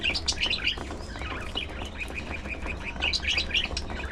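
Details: Several pet budgies chirping while eating seeds and fresh vegetables: rapid, high, twittering notes in quick clusters, pausing briefly and resuming, over a steady low hum.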